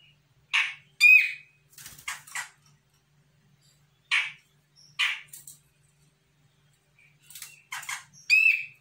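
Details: Grey-cheeked bulbul from Sumatra, a raw untrained bird responding to a lure, gives scattered harsh, scratchy notes in pairs and small clusters. Some end in a short whistled tail, with quiet gaps between them.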